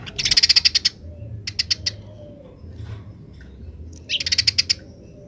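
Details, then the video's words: House sparrow song, wild sparrows answering: a dense burst of high chirps, then a few spaced chirp groups, silence, and another quick chattering burst near the end. "suara burung gereja liar grece"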